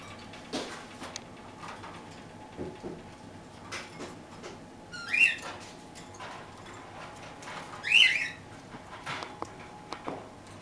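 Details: Parakeets feeding on toast give two short, sharp chirps a few seconds apart, separated by quiet stretches of faint clicks and rustling under a constant background hum.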